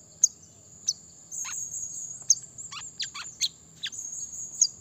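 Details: Brown-throated sunbird calling to challenge rivals. Bright high chirps and quick falling slurs come in an uneven burst of about eight notes against a steady shrill background hum.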